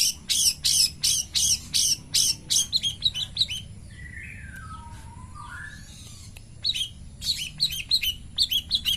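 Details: Long-tailed shrike in the morning giving pastol song: loud rasping chirps in a row, a soft interlude of lower warbled whistles, then sharp notes resume.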